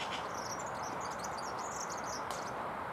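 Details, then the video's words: European serin singing while perched only a few metres away, unafraid though it could see the recorder; a high, rapid jingling twitter runs almost unbroken across the clip over a steady background hiss. "SERIN CINI qui chante"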